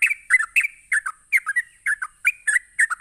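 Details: Provoking ropelan song of a sooty-headed bulbul: quick paired chirps, bright and bubbly with downward slurs, pulsing about three times a second without a break, a thin high steady whine in the background.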